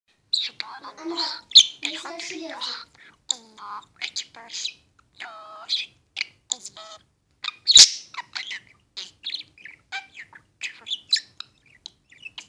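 A budgerigar chatters rapidly, mixing speech-like phrases with warbles, clicks and high chirps.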